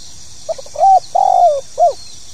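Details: Spotted dove (tekukur) calling in the 'pokal tanggung' style: two faint short notes, a level coo, a long coo sliding downward, then a short hooked final note, low and mellow.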